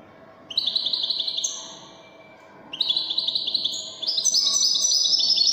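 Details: European goldfinch in the Moroccan wedani song style: a quick jingling trill, a brief quiet gap, then a longer, louder phrase of fast twitters rising into higher, ringing notes.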